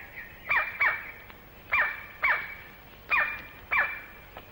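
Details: Crimson-crowned male White-bellied Woodpecker, Malaysian rainforest, recorded late 1950s to early 1960s: loud piercing calls, often paired, each sweeping down sharply, repeated at uneven intervals against a continuous high insect hum.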